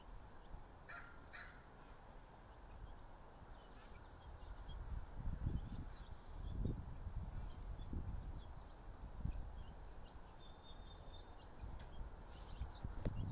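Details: Crows calling as they chase off a predator bird that was circling over leghorn chicks; a couple of harsh caws early on, then further faint calls under heavy low wind rumble.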